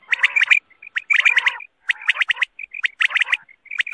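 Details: Quail (batair) calling, used to draw quail in for hunting at night: clusters of quick, bright chirping notes with a rougher chatter underneath, in bursts about once a second, separated by short pauses with single clear whistles.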